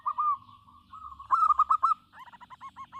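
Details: Local zebra dove singing: a drawn-out rolling coo, then a loud burst of quick stuttered notes, followed by a series of harsher, slightly higher repeated notes from another caller.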